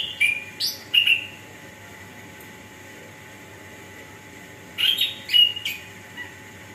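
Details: Orange-headed thrush song used to stimulate lazy birds to sing: two short bursts of whistled, slurred phrases with quick rising and falling notes, separated by a long quiet pause, a faint steady hum underneath.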